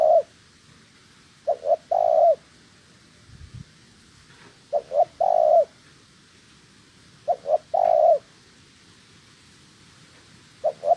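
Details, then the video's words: Spotted dove in decoy training for trapping, calling a clear repeated phrase of two brief mellow coos followed by a longer drawn-out coo, about every three seconds, over faint background hiss with a brief low thump. "Chim Cu Gáy (trap bird) Tập mồi."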